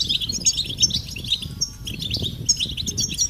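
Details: European goldfinch mating calls from a group, meant to get males singing: quick, bright chirps in clustered bursts, several per second, with a faint low hum and background rustle.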